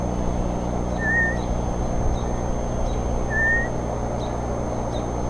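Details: An eagle chick gives two thin, high whistled cheeps about two seconds apart, each slightly rising, over a steady low hum and faint ticking, on 2 April 2014 around 9:18.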